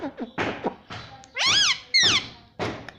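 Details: Pet parrot talking and repeating the word papa: short breathy bursts, then two loud wavering tonal syllables that rise and fall, followed by another sharp burst.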